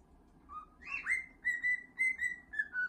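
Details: Pet cockatiel indoors while being scratched, whistling a song: clear sustained whistled notes, rising then held and gently falling, in short phrases separated by brief breaks.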